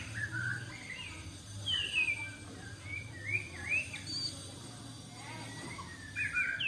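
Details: White-rumped shama, newly caged wild bird with a 16 cm tail, during taming; scattered rising and falling whistled notes over a steady low hum.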